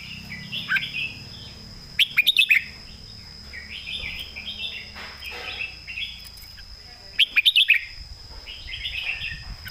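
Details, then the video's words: Competition red-whiskered bulbul from Thailand pouring out its thick-voiced core song: repeated warbled whistled phrases, twice interrupted by quick bursts of four or five sharp clicks, with low rumbling noise behind. "ใส่เต็มทุกดอก"แกนเสียงหนา เพลงแม่บท/นกแข่ง"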